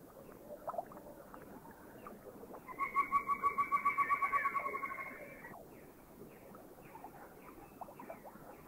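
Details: Rufous Woodpecker in Thailand giving a rapid, even series of nasal notes lasting about three seconds, rising then fading, amid scattered faint chirps from other birds and a background hiss.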